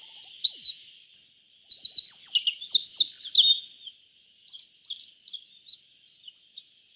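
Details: Yellow bunting, an East Asian bunting, with a short chirp, then a long busy stretch of rapid high twittering notes, followed by scattered soft chirps, over a steady high hiss.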